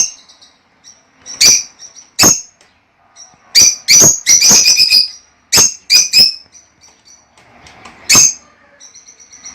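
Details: Lovebirds calling indoors: sharp, shrill single and clustered chirps, some in fast runs of three or four, mixed with faint thin twitters between the louder notes.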